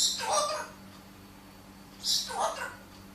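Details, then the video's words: Parrot speaking indoors: two short, raspy, speech-like phrases about two seconds apart, bright and hissy in the upper range, with a steady low electrical hum underneath. "Parrot speaking"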